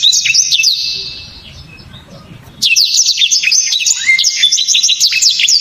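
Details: Kept songbird, a black-throated canary prized by Indonesian songbird keepers, sings loud, sharp, very clear 'tembakan' shots: rapid high twittering and whistled sweeps, a pause of over a second with low background rumble, then a dense renewed burst.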